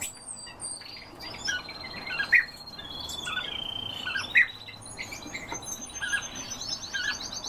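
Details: European bee-eater calls: short rolling trills and brief notes spaced irregularly, with a few louder sharp chirps and a continuous high insect-like buzz behind them.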